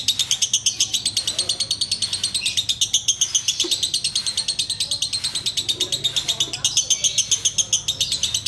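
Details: Sooty-headed bulbul in ngekek style: a fast, even chatter of sharp, high, clipped notes, about three to four per second, running without a break; a faint low hum sits underneath.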